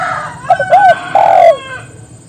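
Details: Spotted dove calling to others so they join in, a short soft coo followed by a rising-falling coo and a longer drawn-out falling coo, over low background hum.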